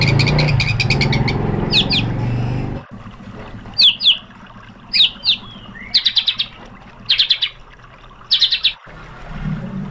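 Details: White-rumped shama song used as lure material: an opening rapid trill, then after a brief gap, sharp slurred whistled phrases about every second, over a low background rumble.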